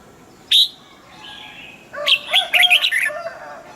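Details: Caged red-whiskered bulbul singing one short phrase of bright, warbled whistles lasting about a second, after a single sharp chirp and a soft faint whistle.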